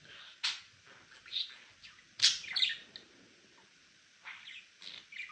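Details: Male pet budgerigar chirping in scratchy, irregular bursts, one loud sharp squeak midway, then quieter twittering notes after a short pause.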